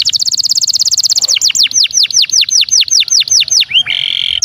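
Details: Belgian canary (Serinus canaria domestica) singing: a rapid high trill breaking into about a dozen quick downward-sweeping whistles, ending in a buzzy rolling note.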